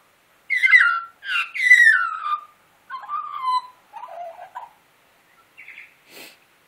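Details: Australian magpie, a wild bird asked to sing before being fed breakfast, carols a series of rich, downward-slurred warbling phrases, three loud ones then softer lower notes and a few brief chirps, with pauses between.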